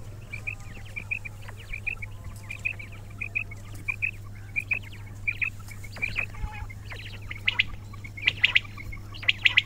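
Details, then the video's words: Quails: short, sharp, high notes in twos and threes, repeated through the recording, with several birds overlapping and louder bursts near the end, over a steady low hum. "بٹیروں کی آواز"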